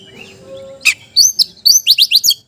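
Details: Oriental magpie-robin song aimed at a rival: after a soft steady tone, a crisp burst of high chirps and rapid paired whistled notes, about eight quick notes in under two seconds.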